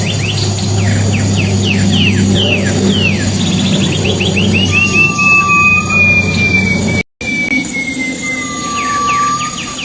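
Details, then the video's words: Wild silver-eared mesia, melodious and loud, used as lure audio: a run of quick downward-slurred notes rises into a rapid series and a long sustained whistle, with a brief dropout and a steady low hum behind. "burung alam liar pipi pirak pemikat"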